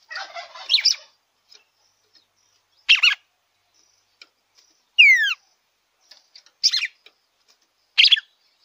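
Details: Red-cowled cardinal singing, used to warm up a kept bird: a scratchy warbled opening, then bright chirp phrases with one loud whistle sliding steeply down, and further sharp notes about a second apart.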